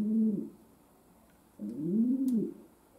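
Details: Domestic pigeon kept as a pet indoors: one short low coo and then a longer arched one after a pause, over a steady camera hum in the background.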